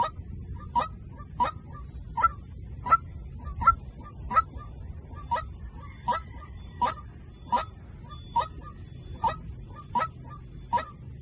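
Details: White-breasted waterhen giving a decoy call: around fifteen abrupt, repeated notes in a steady rhythm of a little under one per second, some louder than others, against a soft low hum.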